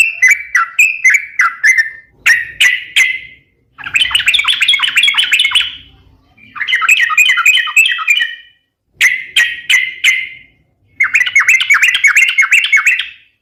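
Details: Sooty-headed bulbul song used as a lure and to train other birds: bursts of bubbly, chattering warbled phrases, each a few seconds long, separated by short pauses.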